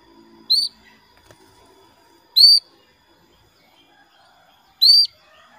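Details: Female canary calling to a male: short bright chirps with a sharp upward flick, given singly about every two seconds, with quiet faint background sounds between.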